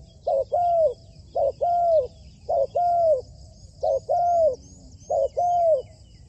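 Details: Spotted dove kept as a trained decoy bird, being trained on a roof. It gives five loud cooing phrases, each a short clipped note followed by a longer arched coo, about every 1.2 seconds. Faint high chirping runs in the background.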